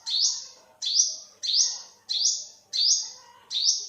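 Olive-backed sunbird giving six sharp, high, rising call notes, each with a thin sustained tail, about one every 0.7 seconds; faint background chatter.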